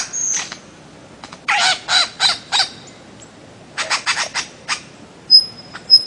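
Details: Bird-of-paradise uttering hoarse, crow-like caws in two short bursts, with thin high whistles near the end.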